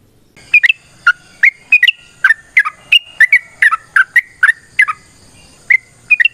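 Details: Sooty-headed bulbul (trucukan) in long fighting song used to coax other birds into singing; separate liquid whistled phrases, some rising and some falling, come about twice a second with brief gaps between them.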